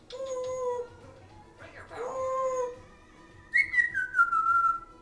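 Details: Pet African Grey parrot, six years old, kept with a second parrot heard in the background: clear whistled tones, a steady low whistle given twice, then a higher whistle sliding downward, over faint room noise.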